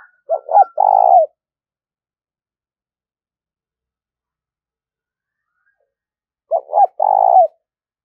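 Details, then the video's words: Spotted dove calling to stimulate decoy birds, gáy thúc and gáy gọi style: two low three-part coos about six seconds apart, each with stuttering opening notes and a long rough final note, with silence between. "tiếng chim cu gáy thúc và gáy gọi dùng kích bổi tập mổi rất hiệu quả"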